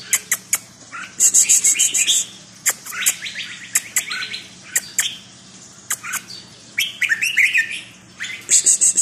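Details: Caged red-whiskered bulbul singing: bright, warbled, slurred phrases in quick bursts, mixed with rapid high ticking notes and sharp clicks over a steady low hum.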